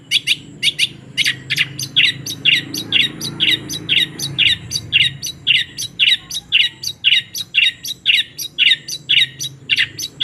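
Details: Long-tailed shrike with mimicked sparrow material: sharp, sparrow-like chirps repeated about twice a second in a steady, even series over a low hum.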